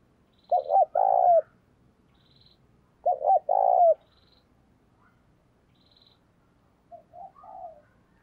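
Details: Spotted dove used as a decoy to lure wild birds: two phrases of short coos ending in a rolling long coo, a few seconds apart, with faint high ticking in the background and a softer coo at the end.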